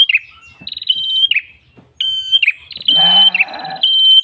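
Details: Red-headed prenjak tailorbird calling to attract birds, its flowing song given in clear high whistles with buzzy trilled endings, partly overlapped near the end by a brief harsher noise.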